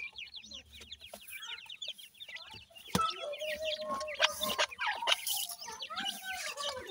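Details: Grey francolin chicks, called dakhni teetar, give quick high cheeping notes, each a short up-and-down twitter, repeated several times a second. A lower drawn-out note sounds midway, and there are occasional knocks and rustles.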